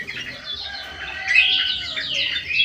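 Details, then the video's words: White-eyed golden bulbul singing actively in an aviary in Indonesia: a busy stream of bright chirps and short warbled notes, growing louder in the second half, over a faint low hum. "KUTILANG EMAS MATA PUTIH SUPER GACOR"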